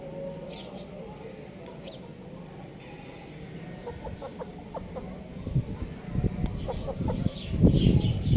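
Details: Young rooster kept at home giving a run of short, clipped clucking chirps in quick succession, growing louder and denser toward the end over low rumbling background noise.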